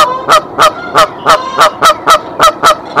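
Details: Mother goose alarm-calling from her nest at Decorah on March 27, 2023, bringing the father goose; nine regular, loud honks spaced roughly a third of a second apart.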